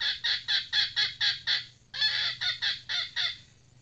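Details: Trained female red junglefowl decoy cackles in two runs: seven rapid rasping bursts, a brief pause, then six more uneven bursts fading out, over a faint steady hum.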